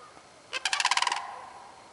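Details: Sandhill crane recorded on 30 March 2015, giving one short rolling, rattling call of rapid pulsed notes lasting under a second against a quiet background.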